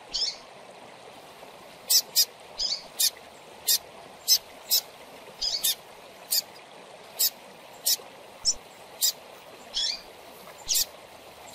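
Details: Young double-collared seedeater chick peeping, played to stimulate captive birds: thin, sharp, very high clicks and short squeaks repeated irregularly about once a second over a steady hiss of background noise.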